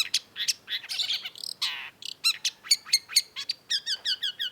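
Long-tailed Shrike song: a fast, varied medley of sharp chirps, harsh buzzy notes and bright whistled phrases, some notes repeated in quick rhythmic runs.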